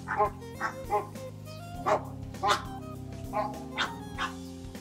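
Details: Captive flamingo at a conservatory in Key West, fluffed up and acting territorial over a tiny puddle, gives loud nasal goose-like honks in short bursts roughly every half second, over steady background music.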